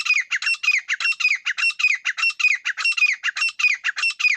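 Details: Grey partridge giving a fast, continuous run of loud, grating squawks, each with a falling scratchy note, repeated nearly twice per second without pause.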